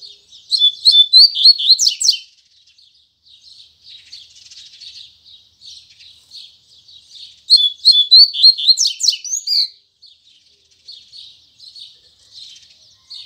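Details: Morning song of a Double-collared seedeater in the Tui Tui Zel Zel style: two loud, rapid bursts of high, sweeping chirps about seven seconds apart, with quieter continuous twittering between them.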